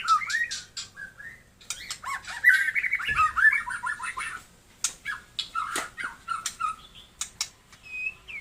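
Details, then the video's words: White-rumped shama (Taiwan murai) delivering lower, fluty warbled phrases mixed with sharp clicks and short whistles, with a brief thud partway through. "burung murei taiwan super mantapppp suara josss"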